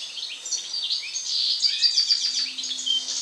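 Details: Dense, rapid twittering song of a European goldfinch after moult, bright jingling notes and quick slurred chirps packed tightly together through the short stretch.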